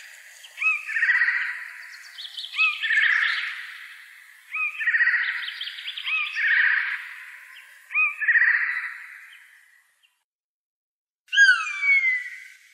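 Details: Eurasian jay calling in the Wittlicher Tal in 2018. Five rough, grating screeches come every couple of seconds, each starting with a short whine. After a pause, a clearer downward-sliding whistle follows.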